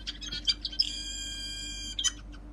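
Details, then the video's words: Pair of birds singing in front of a house window: quick bright high chirps, then a sustained even whistled tone lasting about a second, followed by more sharp chirps against a low background hum. "Two beautiful birds are sitting in front of the window of my house and singing."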